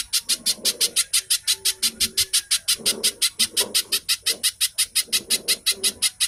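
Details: Fast, closely packed song of a little spiderhunter, used as a lure to get kept birds singing: a relentless train of harsh high chips, roughly five per second, over soft lower background chirps.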